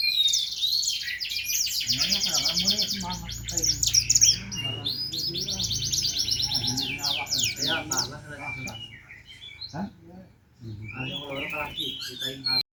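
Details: Black-naped monarch, kept as a songbird, pours out a long, varied song: a sustained high twittering run, then rapid sweeping notes and chatters, with a break near the end and lower background sounds throughout.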